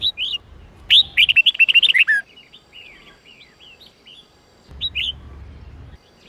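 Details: Red-whiskered bulbul, Sông Kôn type, singing an 8-9-10 note song for voice training. A quick whistled opening leads into a loud run of rapid, descending warbled notes, then softer trailing chirps and a final whistled pair over a low hum.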